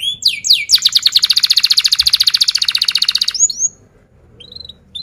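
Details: Canary singing as a lesson for young canaries: two rising whistles lead into a long, rapid, even trill lasting over two seconds, followed by short upslurred chirps and near silence.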